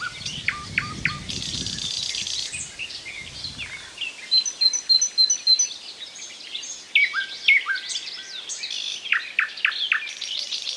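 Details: Singing thrush nightingale: choppy chirped notes, a run of thin high piping whistles, then deep slurred whistles and clicking notes, with a low rumble early on.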